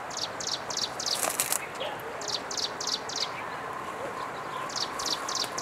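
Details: Striped prinia in Jianshi Township, Hsinchu, Taiwan, 11 April 2023, giving a run of high, dry ticking notes repeated about three per second, with a brief loud rustle early on and constant ambient hiss.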